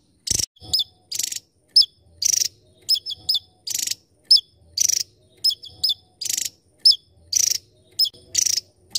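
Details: Javan tesia, a tiny bird, singing: very high, short sharp notes and twittering phrases mixed with rapid buzzy bursts, phrases coming about every half second in a steady run; no other clear sounds.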